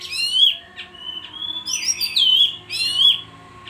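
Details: Bayeman in constant song: bright high whistles sliding and wavering, interrupted by buzzy trill bursts, over a faint low hum.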